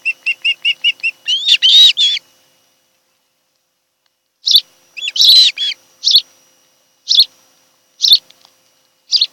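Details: From a Kent Island, Maryland nest camera, late July 2018: an osprey opens with six evenly spaced whistled notes that build into a loud, ringing call, then scattered single chirps follow.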